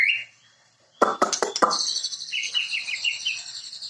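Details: White-rumped shama (murai): a short whistled note, a pause, several sharp clicks or taps, then a sustained buzzy trill with a series of quick repeated slurred notes beneath it.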